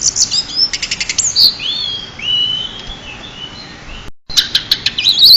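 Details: Champion pied bushchat tutoring song: an opening burst of rapid ticking rattles, then several long, smooth rising-and-falling whistles, a short gap, and renewed sharp high clicks and chirps.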